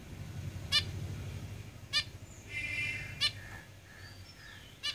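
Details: Zebra finches in a cage make four clear nasal beeping calls at uneven intervals, with softer faint chattering between them and a low hum underneath.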